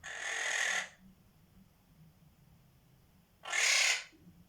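A monk parakeet gives two harsh, raspy screeches, each under a second long, with a pause between.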